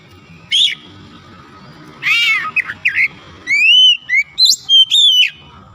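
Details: Oriental magpie-robin (kacer), Indonesia, a reluctant singer brought back to song: a lone buzzy note, a harsh grating burst, then a quick series of sweet upslurred whistles and chirps, with low rumbling noise underneath.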